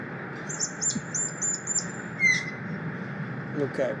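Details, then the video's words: Asian glossy starling, a very noisy bird with many calls, giving a run of thin, high, sharp chirps with one clearer downslurred whistle, over a steady hiss and a voice in the background. "the Asian glossy Starling is a very noisy bird and it makes a lot of calls okay it's a little bit challenging"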